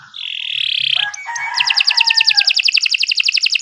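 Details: Kenari Nusantara canary, its long song offered as training material for other birds: a sustained bright whistled tone, a few lower slurred notes, then a fast, evenly pulsed trill running to the end.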